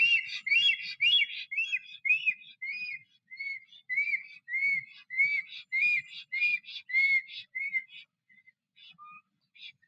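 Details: Black stork song from a male returning to its nest in Noteć Forest, Poland, 17 April 2023, with a second stork present. Repeated looping whistles, roughly two per second, slow and fade into a few sparse notes and silence.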